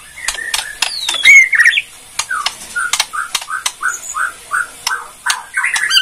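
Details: White-rumped shama, Borneo type, in kretekan song aimed at provoking other shamas: a high slurred whistle, then a steady series of short rich notes repeated about twice a second, with sharp clicks between.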